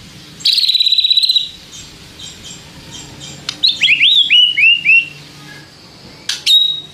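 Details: White-rumped shama song used to provoke other shamas: a rapid buzzy trill, then a quick run of descending slurred whistles, ending with a sharp click and short trill.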